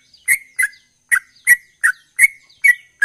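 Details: Sooty-headed bulbul singing steadily in the 'ropel' manner, loud clipped chirps alternating between flat and downward-bending notes, spaced about a third of a second apart, nothing else audible.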